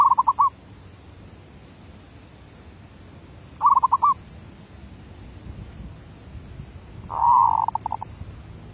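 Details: Zebra dove decoy in derak labuh song style, giving three rolling coo phrases roughly every three and a half seconds. The last phrase is longer and drawn out into a sustained purr.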